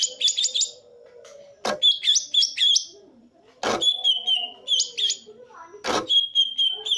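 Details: Green leafbird singing in the 'tembakan' style: short bursts of quick, high repeated notes and a few drawn-out whistles. Three loud sharp knocks and soft low voices come in between the phrases.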